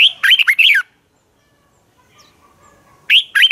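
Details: Morning contest song of a red-whiskered bulbul, used to spur trained birds into singing. A fast run of loud, warbling whistled notes is followed by silence, then a new phrase begins.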